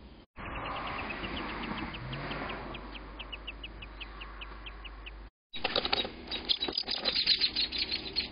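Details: Crow attacking an American robin couple's nest: an evenly paced string of short, high chipping notes, several per second, over low rumble, followed by loud rustling, crackling and flapping sounds with a few faint chirps.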